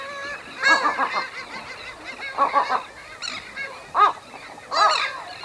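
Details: Western gull pair at their nest giving low-intensity anxiety calls: harsh, harmonic, honking notes in short bursts with pauses, a few higher clipped yelps, with terns also noted near the nest.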